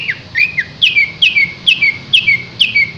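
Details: Green leafbird (cucak hijau) in full song: bright whistled two-part phrases, each a sharp high note sliding down into a lower whistle, repeated steadily about twice per second over a faint background hum.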